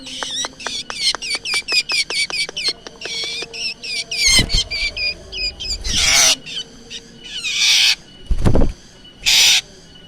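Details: Black drongo, recorded as a lure call: a rapid run of sharp ticking notes with bright overtones, then looping whistled notes broken by harsh, rasping broadband bursts.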